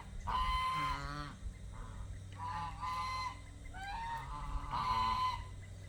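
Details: Domestic geese kept in a pen call as they are fed and given fresh water, a run of four or five brassy honks, some doubled, with a faint clucking note and steady low background hum.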